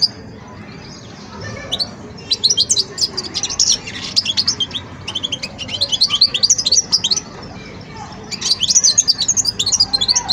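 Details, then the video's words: Juvenile European goldfinch still working out its song, delivering jumbled, high liquid twitters and buzzy chirps in three loose bursts separated by brief quieter gaps. "جان مقنين ويداني في مرحلة فرز التغريد"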